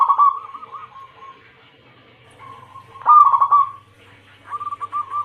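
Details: Female zebra dove calling to the male, with a local Bangkok crossing cemani bloodline named, giving rolling, trilled cooing phrases in repeated bursts with short gaps between them.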